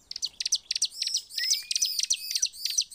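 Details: Lure song of the bar-winged prinia meant to provoke others to sing: dense, rapid high-pitched chirps in close succession with a faint rising whistle midway.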